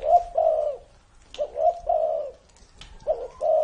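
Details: Spotted dove said to be over 30 years old cooing: low, soft hooted notes in short two- and three-part phrases, repeated with brief pauses and a few faint clicks between.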